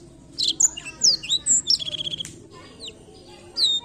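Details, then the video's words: Blackthroat song meant to get other birds singing: high whistled slurs, then a rapid run of about ten clipped repeated notes, a few scattered chirps, and a closing downslurred whistle. "canto do pássaro blackthoat para estimular o som do pássaro chilrear"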